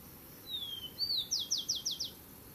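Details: Rufous-collared sparrow defending territory with one song: a long high whistle sliding downward, a short upslurred note, and a run of five crisp falling trill notes.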